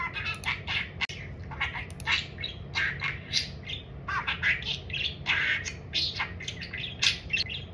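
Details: Pet budgerigar kept indoors, said to talk about nothing but food, chattering in a steady stream of scratchy, squawky syllables and short warbled phrases, with a low household hum underneath.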